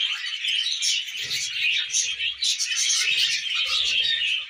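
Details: Pet budgerigars eating millet produce an unbroken, lively flood of high twittering and squeaky warbles, rising and falling in loudness, with faint low rustles.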